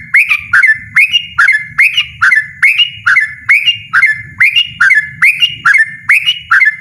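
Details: Loud ropel-style song of a yellow-vented bulbul: short liquid whistled phrases that flip up and down, given about once a second without pause, with a faint low hum underneath.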